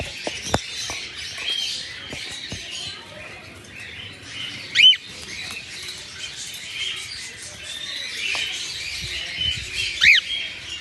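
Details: Red-eyed albino cockatiels in their morning routine give two short, bright, upward-sweeping chirps about five seconds apart, with scattered taps, light rustling and steady hiss between calls.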